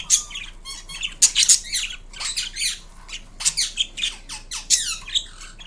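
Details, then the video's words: Indian ringneck parakeet kept as a pet, producing a mix of sounds: shrill squawks, descending whistled slurs and quick chattering phrases in uneven bursts, indoors with little background noise. "Indian Ringneck Parrot Making Unique Sounds"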